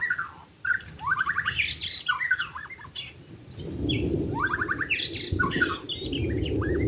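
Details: Forest white-rumped shama during bird trapping: rattling trills and whistled slurs over steady low rumbling noise that grows louder in the second half.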